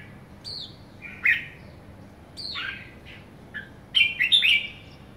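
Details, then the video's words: Caged young red-whiskered bulbul known for somersaulting, labelled kekek, gives bubbly slurred whistles: a high drawn note, pauses, then a tumbling burst of three or four quick chirps at the end. "Young somersault merbah jambul kekek"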